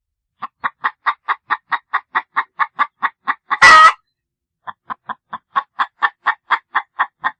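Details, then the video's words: Rapid clucks from chickens come about four per second as short, even pulses. One loud, broad squawk interrupts them midway, and the clucking then resumes at the same pace. "chickens clucking sounds of chicken"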